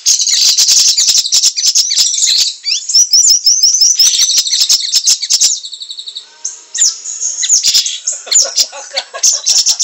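Common Sandpiper giving a dense, very high twittering song of rapid piping notes and fast trills, with a brief pause before the twitters resume.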